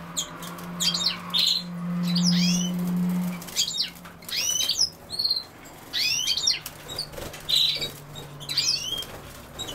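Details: European goldfinch delivering a lively series of liquid, tinkling twitters and quick rising notes at irregular intervals, with a low droning hum in the first few seconds.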